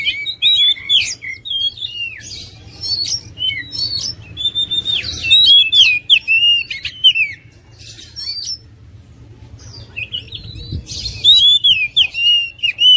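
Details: Lively oriental magpie-robin song in two long bouts of sweet whistles, twittering trills and harsh chips, separated by a quieter gap of a couple of seconds.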